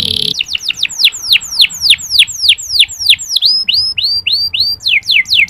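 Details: Clear, long-running local canary song used as a lure for less eager males: a steady run of sharply falling high whistles repeated about four times a second, shifting to a thinner twittering phrase before the sweeps return.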